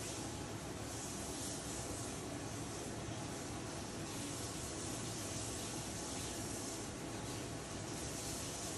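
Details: Steady, even hiss like spraying steam or white noise throughout, with no animal voice.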